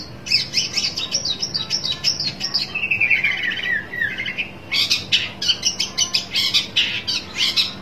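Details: Long-tailed shrike looking for a rival, mixing rapid harsh chatter with a softer warbled, descending-then-rising phrase midway, then returning to fast scratchy notes.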